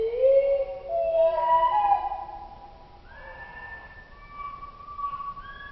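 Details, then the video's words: Common blackbird song from Oslo, slowed to two octaves below normal pitch: deep, mellow whistled notes, a loud rising-and-falling opening phrase, then softer drawn-out tones that slide upward and hold. "Oslo blackbird 2-octaves below"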